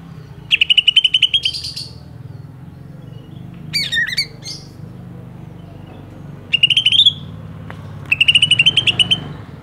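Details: A Banyuwangi and a Kalimantan greater green leafbird compared for song fill: crisp rattling trills of evenly spaced high notes in four separate bursts, one a looping whistle, against low background droning.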